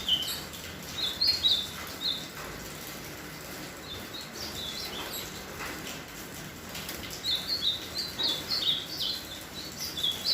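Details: Ultramarine grosbeak finishing its moult, singing: soft warbled whistled phrases, a few notes each, given in two bouts with a long pause between, over steady background hiss.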